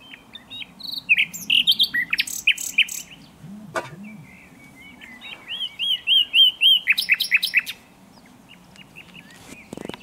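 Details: Common nightingale (Luscinia megarhynchos) song in varied phrases of rich whistles, rapid repeated notes and trills, with short pauses between bursts, over a low background hum throughout.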